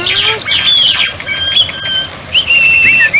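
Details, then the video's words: Black-winged myna tutor recording, played so silent birds start answering: harsh squawks and scratchy notes open, then clear high whistles sliding and holding, with a falling whistle near the end and short quiet gaps. "masteran burung jalak putih, jalak putih macet pasti nyaut"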